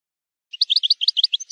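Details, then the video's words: Brief burst of European goldfinch maknin song, played for training young birds: about a dozen quick, sharp, high chirping notes in an even tumbling series, with a quiet background. "chant maknin pour écolage jeune chardonneret"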